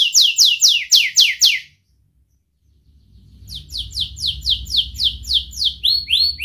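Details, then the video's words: Young canary used as a lure to teach other young canaries to sing and to prompt lazy ones, with a sharp voice: fast runs of descending whistled notes, about four a second, a brief silence, then another run with a low hum underneath. "Masteran Kenari Gacor MUDA Suara TAJAM, Pancingan kenari PAUD belajar Bunyi & pancingan kenari MALAS"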